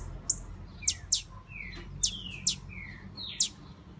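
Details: Breeding-ready female blue-black grassquit giving sharp high chips, each often paired with a lower descending slurred whistle, several within a few seconds against soft background hum.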